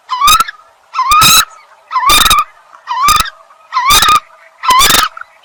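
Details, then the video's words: Eurasian coot repeating a loud, nasal, bent honking note with an explosive sharp attack, about once a second, six calls in a regular series over a quiet background. "Common Coot Bird Sound | জলকচু পাখির ডাক | Jal Murgi ki Awaz | জলমুরগি | Coot Bird Call"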